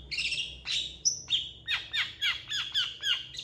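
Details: Long-tailed shrike's lively song, reportedly imitating cats and chickens: opening harsh chatter, one thin high whistle, then a run of about eight downward-curving slurred notes in quick succession.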